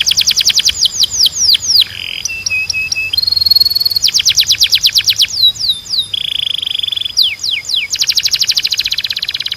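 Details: Canary training song, used to make canaries sing and to train young birds: fast, clean rolled trills of high whistled notes, steady buzzy tours and quick rising and falling sweeps, changing every second or two, with no other sounds.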